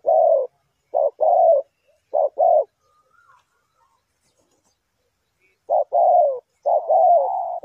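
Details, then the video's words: Spotted dove coos used to lure birds for trapping. Low, soft phrases of a clipped note followed by a drawn-out descending coo come in bursts at the start and end, with a long silent pause between. "The Sound Of Spotted Dove"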